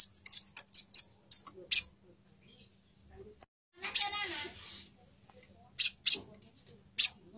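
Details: Female plain-throated sunbird calling to a male: a quick run of high, sharp chips, a pause, a harsh buzzy burst, then scattered single high chips.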